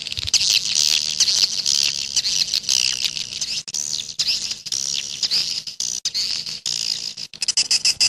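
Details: Edible-nest swiftlet, 'jaguar' style: a continuous high, buzzy twitter with wavering trills, broken now and then by short gaps.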